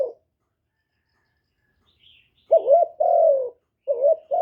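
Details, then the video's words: Spotted dove kept as a decoy for wild doves, after a quiet stretch giving a two-part coo, a quavering note then a long descending hoot, followed by the start of another phrase. "Cu gáy mồi hạp bổi nghe là gáy, chim cu đất, cu gáy mồi cây, tiếng chim cu gáy gọi, cu thúc kèm"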